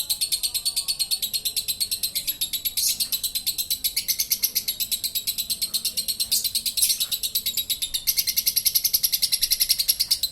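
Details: Champion lovebird singing a long 'ngekek' chatter in the 'konslet' style with beak open: a fast, unbroken run of sharp high repeated notes, about two per second's quarter, holding steady for the full ten seconds.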